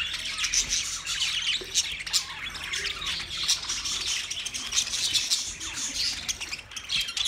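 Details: Budgerigars, twenty pairs kept together, producing continuous high warbling chatter with scratchy squawks and thin whistles layered over one another throughout.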